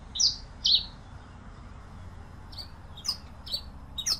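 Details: Pileated finch singing: two bright, high downslurred chirps open the passage, then after a pause several fainter high notes mixed with sharp clicking sounds.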